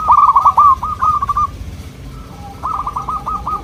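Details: Local zebra dove singing to make other local doves answer: two quick rippling phrases of staccato cooing notes, the first longer and louder, separated by a brief quiet gap with a faint level note.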